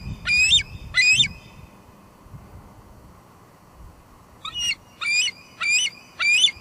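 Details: Wild female bald eagle at her nest at Two Harbors on 24 July 2022, filmed by live cam, squeeing and calling while going back and forth: two high, chattering, squealing notes, a pause, then four more in quick succession.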